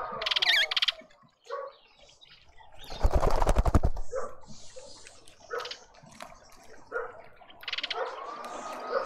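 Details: Flock of mousebirds at a feeder in a suburban garden in Pretoria, South Africa, gives scattered chirps and short rising whistles, with a loud burst of wing flapping in the middle.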